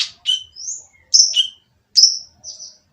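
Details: Oriental magpie-robin with a rough, noisy voice used to goad other birds into singing: a few spaced phrases of high whistled notes, a rising slur and falling rasps, with brief pauses between.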